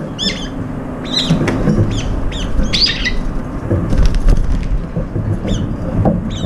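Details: A flock of brown-eared bulbuls competing for food; bursts of harsh, upslurred high calls, mostly in the first three seconds, mixed with wing flutters and thumps over low background noise.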